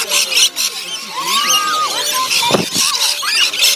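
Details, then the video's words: A flock of lorikeets being fed at Currumbin Wildlife Sanctuary gives shrill, screeching calls that overlap continuously, with high chattering and squeals throughout and a brief burst of noise midway. "Feeding the Lorikeets"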